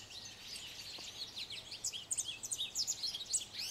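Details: A male American goldfinch sings from atop a branch: a quick, high, tumbling twitter of varied chirps and sweet notes, building after a quiet start, over a soft outdoor hiss.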